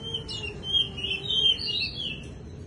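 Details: Bush lark singing skylark-like during its wing-fluttering display: a flowing series of high, slurred whistled phrases with a quiet steady low tone underneath.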